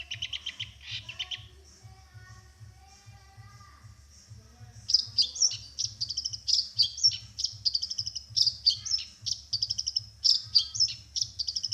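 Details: Champion long-tailed shrike singing in a contest: a harsh, scratchy chatter at first, then a quieter stretch, followed by rapid, insistent repeated high raspy notes in a dense series, over a low steady hum.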